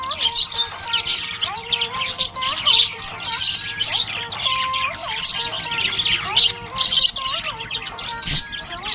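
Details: Happy budgerigar keeps up a lively, rambling warble of squeaky chirps and chatter, accompanied by soft melodic music in the background.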